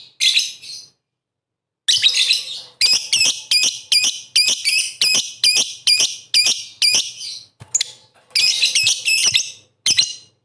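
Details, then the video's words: Lovebird singing vigorously as a lure to provoke rival lovebirds: bursts of shrill, high chattering chirps delivered in quick irregular runs, with brief silent gaps between the phrases. "pancingan MP3 bikin emosi lovebird kalian tarung tingkat tinggi"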